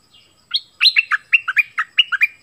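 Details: Orange-headed thrush, southern type, in a song used to lure wild birds and train young birds: a run of about ten crisp, alternating high and low notes delivered briskly over two seconds.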